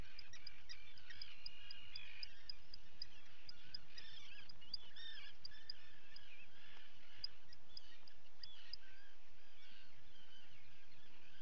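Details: Common guillemot chicks at feeding time, recorded by a live camera on 28 June 2020: dense overlapping high chirps and short wavering peeps from many birds, continuous over a constant low rumble.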